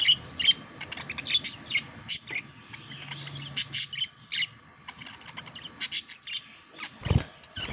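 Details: Budgerigars kept as pets during courtship and mating: scattered high squeaks and clicky chirps, sparse in the middle, followed by a low dull thump near the end, then more chirping.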